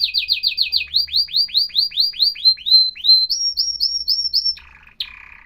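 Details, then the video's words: Atlantic canary song opening with rapid doubled notes, slowing into a series of loud arching whistles, rising to a higher steady note, then ending in brief buzzy rattles. "تغريد كناري احترافي صوت يشعل الحماس عند الطيور"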